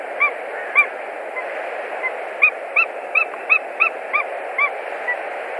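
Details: White-tailed eagle pair at a nest in Latvia, 1 March 2020, during nest building with straw and sticks and a mating attempt; a rapid string of sharp, yelping notes, about ten in a row, over constant background hiss.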